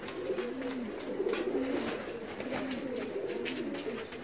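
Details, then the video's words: Several Filo pigeons give overlapping low, throaty coos in a steady run of swelling and falling phrases, with a constant background hiss throughout. "Filo Güvercinleri"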